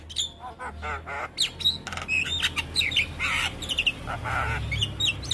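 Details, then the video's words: Javan myna song used as a tutor recording to draw out young mynas: harsh rasping bursts and clicks, then thin whistled notes and buzzy slurred phrases in a rapid, varied run, over a low steady hum. "Suara Jalak kebo MAsteran Buat Pancingan Burung Jalak Kebo Muda"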